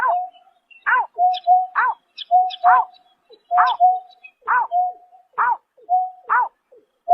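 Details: Greater painted-snipe calling at night in March 2024: a steady, level hooting tone alternates with short, loud, falling notes. The calls repeat in an uneven series of about nine bursts. There is no other sound against the silent background.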